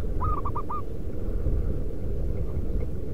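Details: A local zebra dove calling to lure wild doves gives one crisp coo phrase, a drawn-out first note followed by three rapid short notes, then only a low continuous rumbling background remains.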